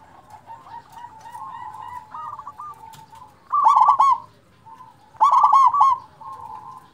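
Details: Loud local zebra dove singing to rouse reluctant doves: two bursts of quick, rolling staccato coos about a second and a half apart, after a quieter stretch of faint warbling tones in the background.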